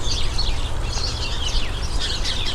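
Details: House sparrows chirping from a garden hedge at the end of summer, a species said to have had a hard time in recent decades but doing well here; busy overlapping high chirps and twitters over steady low rumble.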